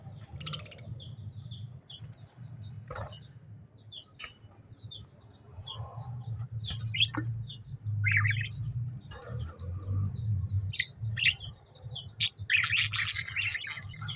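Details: Budgerigars in a pet store chatter and warble in a busy flock, with quick chirps and scratchy trills over a low hum.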